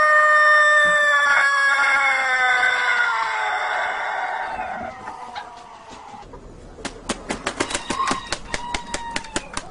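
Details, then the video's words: Farm rooster crowing in the early morning hours: a long harmonic crow slowly sliding downward and fading over about five seconds, followed by a rapid series of sharp clucks or clicks. "Galo Cantando"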